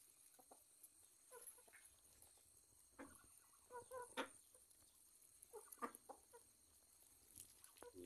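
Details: During morning feeding of chickens kept alongside ducks and Muscovy ducks, chickens give short, soft clucks in irregular bursts, with a few sharper, higher notes mixed in.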